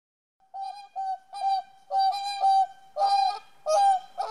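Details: Whooper swans defending territory at Niilesjärvi, Oulu, Finland, 24 April 2017, give loud, nasal, bugling honks, about two a second, growing louder, with several birds overlapping toward the end.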